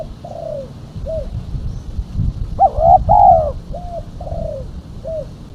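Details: Coo call of a female spotted dove, used as a lure for catching doves: soft single coos, then a strong two-part rolling phrase mid-clip, followed by more gentle descending coos, with low rumbling noise underneath.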